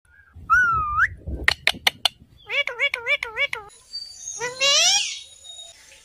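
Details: Indian ringneck (rose-ringed parakeet) giving a rising whistled call, a burst of sharp clicks, four quick wavering squawks and a long harsh screech, indoors.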